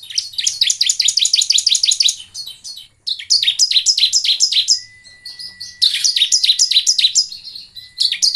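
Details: Lure recording of a bar-winged prinia to encourage singing: nearly continuous rapid strings of high, metallic, down-slurred chirps, several per second, in three long bouts with brief breaks and a thin steady tone in the gaps.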